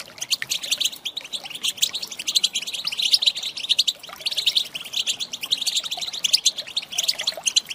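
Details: European goldfinch female call, used to trigger male song, heard as continuous rapid twittering with metallic tinkling notes and slight swells in loudness.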